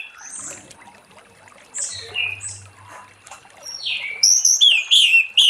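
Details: Orange-headed thrush singing in the ngeplong style in the late afternoon, used to lure other thrushes into singing. Soft varied whistles and twitters, then a loud run of high, sweet descending whistled phrases in quick succession toward the end.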